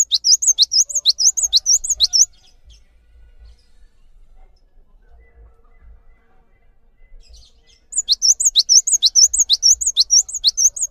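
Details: Cinereous tit in full song, used to train other songbirds: fast bursts of high, rhythmic looping whistles repeated several times per second, two bouts separated by a quiet pause of several seconds with faint low rumble.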